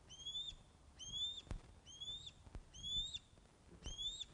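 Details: Ospreys at their nest at Loch of the Lowes, filmed by nest webcam on 21 August 2012 at 16:35 during a fish delivery. Five clear, whistled calls rise and then drop sharply, spaced just under a second apart over faint background rumble.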